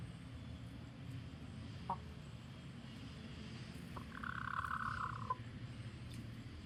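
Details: Chicken warning the flock: after a few isolated clicks, one drawn-out buzzy alarm cry of just over a second, then quiet; a constant low engine-like rumble underlies the scene.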